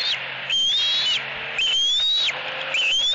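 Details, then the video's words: Eaglet at a Southwest Florida nest squealing loudly at its mother, who holds a fish. Three long, high, whistled screams, each rising then dropping sharply, with a faint low hum beneath. "Screaming E11"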